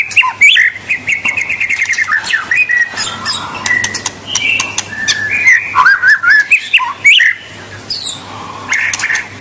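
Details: Varied song of a white-rumped shama, meant to trigger singing in young birds: quick chattering notes, then changing whistles and twittering phrases, with a faint low hum throughout.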